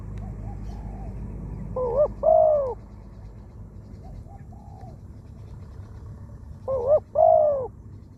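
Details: Spotted dove kept as a decoy bird for trapping, uttering two loud phrases of quick rising-and-falling hollow coos about five seconds apart, with fainter softer coos between them and low background hum.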